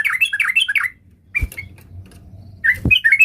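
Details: Sooty-headed bulbul song directed at a rival: a quick tumble of bright warbling notes, a short gap broken by a single note and a thump, then more lively warbling phrases.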